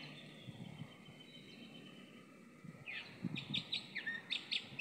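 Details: Chalk-browed mockingbird, apparently an old bird, singing; after three quiet seconds of low background noise, a rapid series of sharp high chirping notes and short slurred phrases repeats about once every half second.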